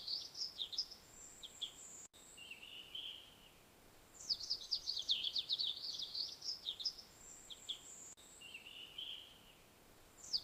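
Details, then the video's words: An Australian magpie on a tree in the morning sings rich, high warbling phrases, bursts of quick varied notes with brief lulls between, over a faint steady background hiss. "The Melodic Australian Magpie"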